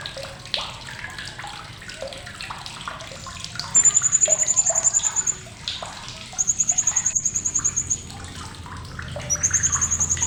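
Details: Blue-crowned hanging parrot giving sharp chattering, offered as a tutor recording for competition songbirds: three bursts of very high, rapid, evenly pulsed notes, each about a second long, over busy background chirps and a steady water-like hiss.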